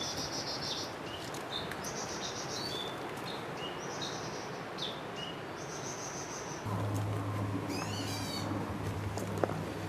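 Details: Black bulbuls on Neidong Forest Road, Wulai, Taipei, Taiwan give short, high chirping calls at three pitches, repeated rapidly, with more than one bird calling, over a steady forest hiss and low hum.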